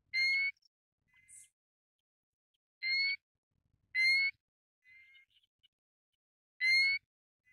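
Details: Pacific golden plover calling repeatedly with bright, slightly upslurred whistles roughly every second or two, mixed with fainter, softer whistled notes in between; otherwise quiet.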